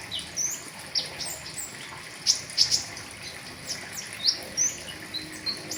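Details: Pentis raja flowerpecker with a full riwikan song for tutoring caged birds: isolated thin chirps, a tight pair of sharp ticks mid-way, then more high slurred notes, all over a faint rushing background.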